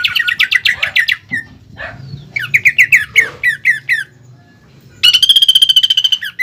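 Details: Greater green leafbird singing as a lure and master song with 'pelatuk bawang' filling; a quick series of sharp chips, a pause, more chips, then a steady buzzing trill.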